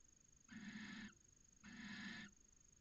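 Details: A barn owl pair in a Cabañeros National Park nest box, Spain, copulating early in the season from late January; two hoarse, rasping hiss-calls of over half a second each, spaced about a second apart.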